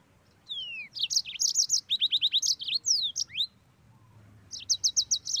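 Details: Yellow-fronted canary in lively, rolling song: sharp descending whistles, then rapid runs of high chipping notes in quick bursts, a short pause, and a closing string of bright repeated notes.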